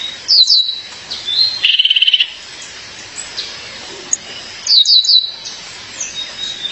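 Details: A female violaceous euphonia calls to her partner with quick groups of high, falling chirps at the start and near the end, and a short dry rattling trill between them.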